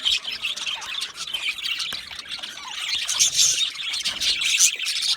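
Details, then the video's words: Chirping budgies, content or communicating with one another, fill the air with a steady, busy wash of high squeaky chatter and sharp squawks from several birds at once. "Budgie parrot chirping sounds"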